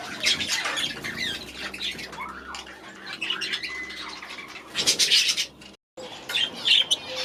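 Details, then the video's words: Young budgerigars from last year's hatch, newly released into an aviary at the start of the season, giving busy high chirps, squawks and warbling chatter from several birds, with a brief dropout near the end. "New Baby Budgies First Days in their New Aviary"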